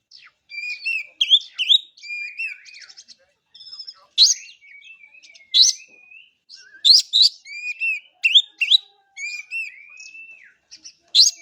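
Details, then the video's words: Oriental magpie-robin (kacer) in full song: a varied, fast stream of clear whistles, sharp chips and slurred notes, with loud accents every second or so and barely a pause. "Kacer bahan aja pasti langsung bunyi"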